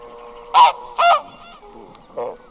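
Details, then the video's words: Lone red-breasted goose, recorded at close range, gives a sharp double honk, shrill and nasal, followed by a softer third note. "Red-Breasted Goose. MCU Calls From A Single Bird."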